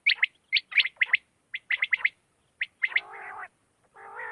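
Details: A quail's night call, used as a hunting lure: quick, sharp high notes in pairs and triplets, about one burst a second, then two lower, nasal, buzzy rasps near the end.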